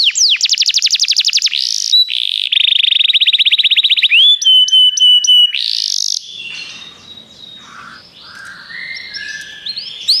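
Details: Canary singing, used to prompt a pet canary into song: fast trills, a dense buzzy tour, then clipped repeated whistles, a rasping burst, and softer mixed chirps fading into background noise.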